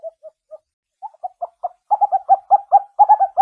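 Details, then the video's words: Scops owl heard at night in Javan forest: a few soft, spaced hoots that quicken and grow louder into a fast run of clipped notes. Nothing else is heard. "OWL Sounds At Night - Suara Burung Hantu Liar Di Hutan Belantara Nusantara"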